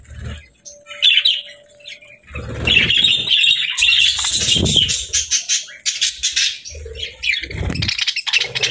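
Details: Happy budgerigars chirping and singing: a busy, scratchy warble of buzzy notes, clicks and squeaks, with a sustained trilling stretch mid-way, broken by low thumps and brief wing flutters.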